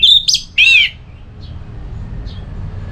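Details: Orange-headed thrush in ngeplong singing style, used to provoke a listless bird into answering: two loud whistled phrases, clear and slightly wavering, in the first second, then faint soft notes over low background hum.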